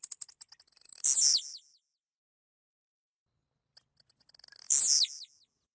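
A Blue-black Grassquit sings two short, high phrases about four seconds apart. Each starts with quick dry ticks that speed up, then ends in a sharp buzzy burst. No other sounds.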